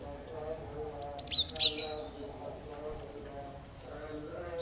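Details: A Cinereous tit gives a single rapid burst of about five high, bright, clipped notes near the middle, a recording meant to get other birds singing. A soft low hum runs underneath.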